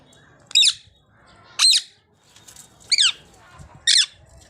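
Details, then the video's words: Ringneck parrots calling: four loud, harsh, high squawks with sharply descending slurred notes, spaced roughly one second apart, over a quiet background. "Parrot voice || Natural Sound Ringneck Parrots"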